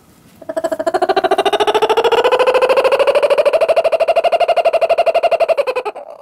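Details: A laughing kookaburra at Saitama Children's Zoo, Japan, gives a fast, rolling, hollow chuckle of rapid repeated notes, rising slightly and holding steady for about five seconds in a quiet indoor space.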